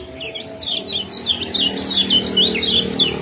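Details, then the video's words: Common iora, a combined 'ciak' and 'jos' calling style used to bring birds into breeding condition and as a tutor recording; a rapid, uneven run of high, sharp, down-slurred chirps, about three per second, over a low steady hum. "Kombinasi ciak jos spesial pancingan kecial kuning"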